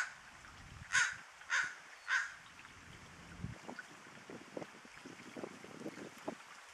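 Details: An American crow perched atop a bare tree beside a trickling creek, Tijeras Creek, O'Neill Park, California, 1 June 2013, gives three harsh, hoarse caws about half a second apart, then softer clicks and rustling.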